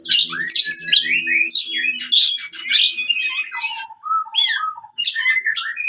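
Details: Oriental magpie-robin giving a fighting song used to get silent birds singing: harsh rapid phrases and whistles, then a series of lower clear whistled notes, with a faint low hum early on.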